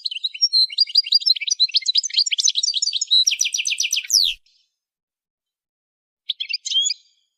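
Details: Goldfinch singing during song training: four seconds of rapid, rolling high twitters, then a fast series of sharp repeated notes. After a pause, a short chirpy phrase follows.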